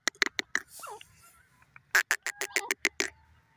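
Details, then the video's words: Grey francolin (dakhni teetar) calling in a quick series of sharp, harsh notes, broken by a brief softer rising sound, then resuming with about seven loud clipped notes in fast succession. "grey francolin teetar sound"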